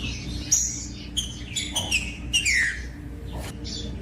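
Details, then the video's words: Rufous-bellied thrush song meant to motivate captive thrushes: rich whistled phrases with falling slurs and fast trills, ending in a long descending whistle, over a faint low hum. "DESTRAVA TRINCA FERRO !! COM TRINCA FERRO CANTANDO O MELHOR VÌDEO PARA ESQUENTAR TRINCA FERRO"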